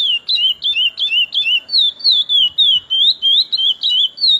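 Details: Chestnut-bellied seed finch, a kept bird its owner calls one of his best, singing a fast series of clear, high whistled notes. Each note slurs down then up, repeated about three times a second in an even rhythm, with no other sounds.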